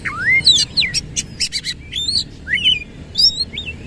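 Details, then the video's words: Kacer, the Oriental magpie-robin, in full energetic song with tail fanned, 'isian kasar' style: a rising whistle, then quick clipped chirps, looping slurred notes and short warbles packed tightly together. "KACER GACOR BONGKAR ISIAN KASAR BUKA EKOR"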